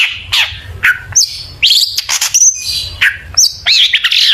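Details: Lure song of a long-tailed shrike full of borrowed phrases: quick mixed whistles, descending slurs and buzzy high chatter in short overlapping bursts with no gaps longer than half a second.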